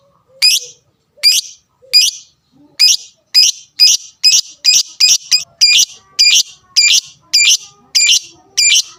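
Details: A lovebird's fighter sound, meant to provoke rivals so they answer: harsh, piercing chirps repeated roughly twice a second, briefly bunching into a quicker burst midway, then resuming a steady beat.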